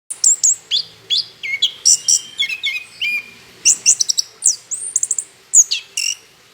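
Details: Orange-headed thrush singing vigorously, used as a lure to get other birds singing: rapid run of sharp whistled notes and slurred, rising and falling phrases, high and bright, in quick irregular bursts with short gaps.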